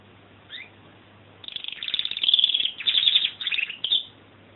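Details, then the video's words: Canary giving a single soft upslurred note, then launching into a loud, sustained run of fast trills and warbled phrases. "Singing Canary"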